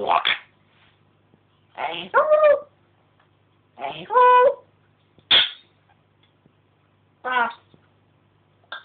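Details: Pet African grey parrot indoors, filmed secretly from atop a fish tank, chatting away with mimicked talking and noises: short harmonic speech-like bursts and a few whistled tones, spaced irregularly about every two seconds.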